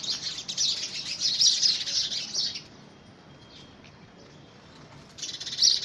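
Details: Sparrows of the house species quarrel over who gets a homemade nest box, first week of February 2017; frantic high chirping for about two and a half seconds, a quiet gap, then another sharp burst.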